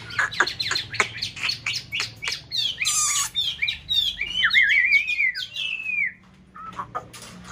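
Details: Chinese hwamei (white form) in a mountain-town conservation aviary, breeding pair in nest-building season: rapid sharp notes leading into a varied whistled warble with trilled slides, ending in sparse soft notes.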